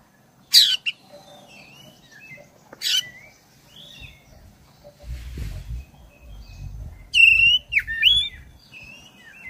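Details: Oriental magpie-robin, black-breasted form, singing long rolling phrases to provoke caged birds: scratchy bursts and thin whistles, a stretch of low rustling noise in the middle, then loud looping whistled notes.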